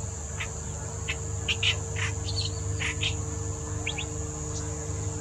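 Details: Clamorous reed warbler in Bengaluru, India, March 2021, giving short, harsh, chattering notes at an uneven pace, over a steady high insect whine and a low background rumble.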